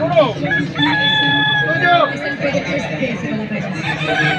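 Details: Kukuak Balenggek rooster at a crowing contest in Padang, Walikota Cup 2024. Its clear, level crow breaks into steps and ends in a falling slur, followed by a busy background of other birds and voices.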